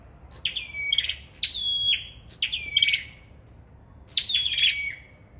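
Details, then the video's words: A sâu đầu đỏ bird's competitive singing: a series of ringing phrases with a sharp attack and a long level whistle ending lower, four phrases close together then one after a pause. "Sâu Đầu Đỏ Hót Đấu"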